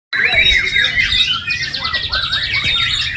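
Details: White-rumped shama singing: a dense, fast run of varied whistles, sharp chirps and warbled trills, some notes sliding up and down, with rapid repeated buzzy phrases near the end; faint low background rumble.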